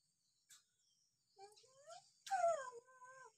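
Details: Hill myna on a training recording used to prompt sluggish or young wild-caught mynas to answer and call: a faint click, then gliding whistles and a louder, falling, harmonic-rich whistle with upward-sweeping tones, over light high hiss.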